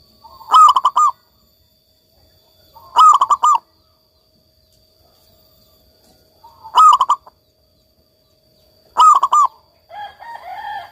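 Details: Local zebra dove singing persistently: four loud, stuttered coo phrases, each a half-second burst of three or four throaty notes, repeated every two to three seconds, with softer chattering from another bird at the end.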